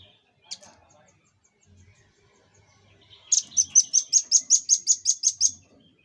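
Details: Red-billed scimitar babbler, used as a master-song recording for training cage birds: a long rapid string of about eleven high, sharp, ringing chip notes, evenly repeated several times a second, after a single earlier note and quiet.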